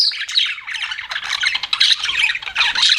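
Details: Several pet budgies chatter nonstop, layering busy, rasping warbles with sharp high chirps and short squawks in a tightly packed stream.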